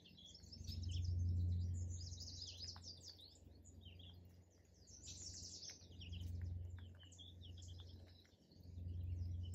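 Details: Birds singing and chirping in a park, a dense overlapping chorus of high twittering, chirps and short whistles, over a steady low rumble that swells and fades.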